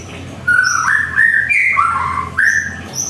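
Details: Morning song of a white-rumped shama kept at home: after a short pause, smooth whistled notes sweep up and down in linked phrases, with faint high chips in between.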